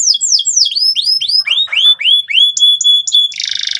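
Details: Loud, persistent gacor canary song aimed at teaching young canaries the ngeriwik trill: a run of falling curved whistles, a few short high piping notes, then a closing burst of buzzy trill.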